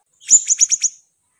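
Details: Siri-siri bird singing vigorously: a quick series of five sharp, high chirps running for under a second, with the first the loudest and the rest evenly spaced, against a silent background.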